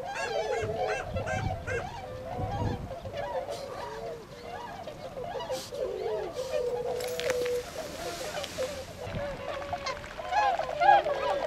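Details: Tundra swans at Ohotaden retention pond, Azumino, Japan, 22 February 2013, flying to nearby rice fields to feed; a busy flock chorus of repeated trumpeting honks, roughly two per second, with a brief hiss of background noise midway.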